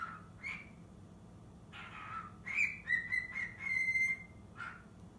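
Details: Young cockatiel, six months old, rehearsing the Totoro melody in a small room: short whistled phrases with pauses, then a run of bright sustained whistles, closing with a brief soft note.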